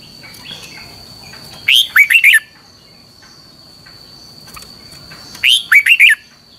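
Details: Red-whiskered bulbul singing a long double twisted training song. Two lively four-note phrases, each falling then lilting upward, come nearly four seconds apart over a steady high electronic-like whine and faint ticks.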